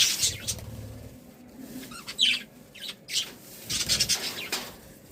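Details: Budgerigars sounding happy, with rapid, scratchy high chirps and short squawks scattered throughout, growing busier toward the end.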